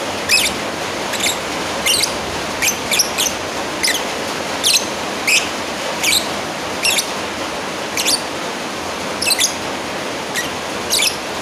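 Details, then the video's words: A lovebird calls a rival with repeated high, clipped squeaks scattered through the recording, sometimes in quick pairs, set against a continuous hiss. "Suara Asli burung lovebird Manggil lawan"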